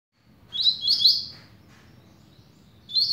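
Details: Double-collared seedeater of the patrão type, described as a velocista, beginning to sing: two quick buzzy high phrases of sliding notes, then a new phrase starting after a pause, over a low steady hum.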